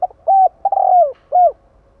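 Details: A compact cooing phrase from a spotted dove used to provoke rivals: short notes, a steady coo, a long burry coo sliding down, then a final arched coo. Little background sound.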